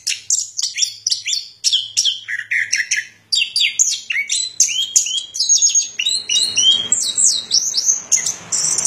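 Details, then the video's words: A chestnut-capped thrush sings a fast, unbroken run of varied whistled and chattering phrases, high and bright, with a faint low hum in the background. "Suara Burung Anis Kembang"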